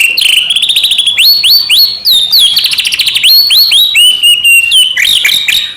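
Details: White-rumped shama song meant to trigger other shamas into singing: continuous high whistles, rapid trills and upslurred notes woven into a fast, varied phrase.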